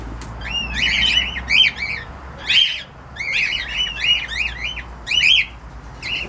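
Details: Rapid, loud cockatiel squawking: strings of arched, harmonic-rich chirps bunched in bursts of two to four, almost continuous across six seconds, with a faint low hum behind.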